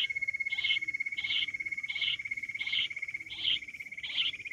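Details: Wild quail calling with clipped, high notes repeated about every seven-tenths of a second, seven in total, with a continuous pulsing insect drone underneath.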